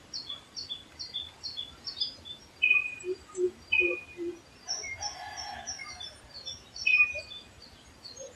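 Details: Red junglefowl (Gallus gallus) gives one faint, distant, harsh crow of under a second, half lost in a busy forest chorus of thin high chirps, repeated whistles and soft low cooing notes from other birds.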